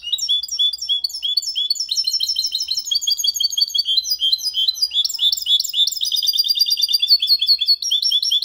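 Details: Hybrid of goldfinch and canary in full clean 'copia malaga' song, meant for teaching young birds and stimulating hens; long unbroken stream of rapid, high, liquid chirps and trills with varied, sliding notes.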